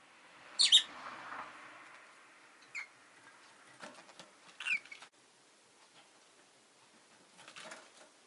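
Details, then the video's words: Pet rosy-faced lovebirds, two newly added to a home flock, giving a loud pair of sharp shrill chirps early on, then scattered shorter squeaky notes with soft background hiss. "Lovebird Chirping Sounds"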